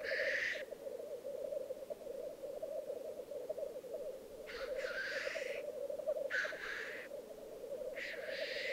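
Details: Black grouse cocks at their Alpine lek in Piedmont, Italy, 2022, bubbling continuously in a low rolling murmur; a hiss opens the clip and three more sharp whooshing sneezes follow near the end.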